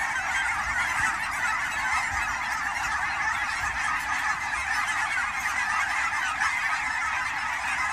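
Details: At the Fern Hill Wildlife Area ponds in Forest Grove, Oregon, a fall migrating flock of Canada geese keeps up eight seconds of massed honking, dense and even, individual calls lost in the crowd.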